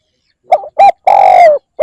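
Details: Spotted dove calling to lure other birds: two short clipped coos, then a long, slightly falling coo with a downward tail, and the start of a new phrase, loud and close.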